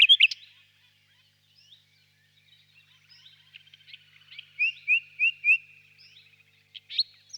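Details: Quiet passage of the nightingale's song: a few loud notes at the start, faint scattered chips, then four clear upward-slurred whistles in even succession and a final sharp note.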